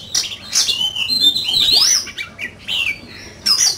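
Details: Oriental magpie-robin, a fine-feathered bird in fierce competition song, gives a long sweeping whistled phrase that rises and bends, framed by sharp high chips and short squeaks.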